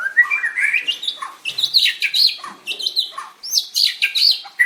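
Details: Singing-contest white-rumped shama, 7/25/16, performing while dancing: rising whistled opening followed by rapid high, sharp chirps and upslurred notes repeated in quick bursts, loud and lively.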